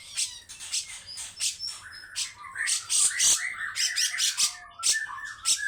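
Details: Grey-cheeked bulbul singing a long, harsh, rough phrase: a fast series of scratchy, buzzy bursts with short whistled notes woven in, continuous and uneven in rhythm.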